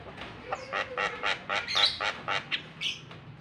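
Javan myna giving a rapid run of harsh, grating chatters, about four a second, with a brief higher whistle near the end.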